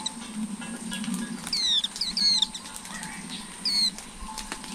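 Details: Flowerpecker chicks in a nest filmed over 11 days as they grow: thin, high, falling squeaks in three short bursts over a few seconds, over a steady high whine and a low hum.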